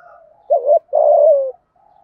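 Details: Spotted dove giving a thúc gù coo in the giọng thổ voice style, used to rouse decoy birds: a short wavering double note, a brief pause, then one long, steady coo that slides downward at the end. Faint softer cooing is heard before it.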